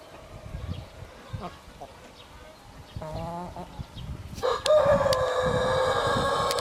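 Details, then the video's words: Chicken sounds with a rooster. A few short, stacked clucking notes come first, then a loud, sustained crow runs to the end, slightly falling in pitch. "Roosters crowing sound effects"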